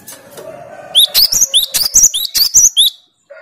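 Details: Over a low humming, harmonic background, a cinereous tit delivers its rival-challenging 'tembakan' song: about eleven bright, sharp whistled notes repeated quickly, each note a short rising pair, ending abruptly.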